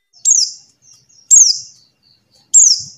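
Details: Buxtoni white-eye call, used to lure silent white-eyes into singing: three high, thin, sharply descending whistled notes, each trailing off, spaced about one and a quarter seconds apart over silence.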